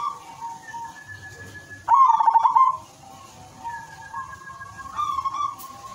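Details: Zebra dove, a silver-coloured bird, singing in a melodious rhythm used to lure other doves into calling; a trilled, pulsing coo burst mid-clip and another near the end, with soft background coos between.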